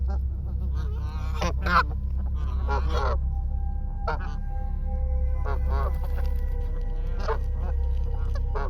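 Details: Flock of wild Canada geese charging at a person in Canada: scattered nasal honks over steady low rumble, with a thin sustained tone running through the second half.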